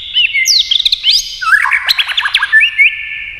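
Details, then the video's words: Competition song of a white-rumped shama, varied and many-voiced: quick high whistled slurs, then a burst of fast chattering notes dipping lower, closing with clear rising whistles. "kích chòe lửa hót đấu nhiều giọng"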